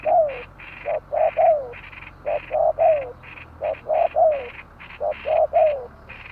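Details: Repeated phrases of spotted dove cooing: clipped hollow notes, then a longer coo that slides downward, repeated about every second and a half. A regular pulsed buzz sounds behind them.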